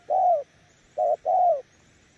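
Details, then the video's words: Brief cooing by a spotted dove decoy bird, Kon Tum. One drawn-out low coo, a pause, then a short note running straight into another long, slightly falling coo. "Nước gù ae tự đánh giá, mồi yếu gặp thứ này chắc cũng thua"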